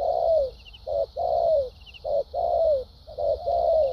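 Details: Spotted dove delivering a good-voiced, well-structured coo: long smooth falling notes alternate with brief clipped ones in a steady rhythm. A faint constant hiss sounds in the background.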